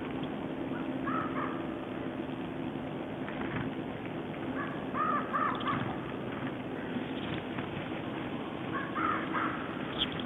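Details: Ravens calling at Siga on 10 January 2012 at a feeding ground they share with small birds: several hoarse caws in small clusters, spread over the clip against a steady background hiss.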